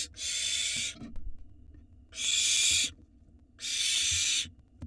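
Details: Begging Barn owl nestlings in an Israeli nest box, live camera, as the father brings dinner: three harsh, broad, hissing screeches, each under a second, spaced about a second apart, with soft shuffling between.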